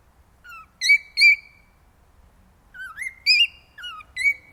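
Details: Male cockatiel song meant to encourage mating, loud whistled notes in two groups, each with a low lead-in whistle followed by stronger rising and wavering whistles, with a silent gap between groups.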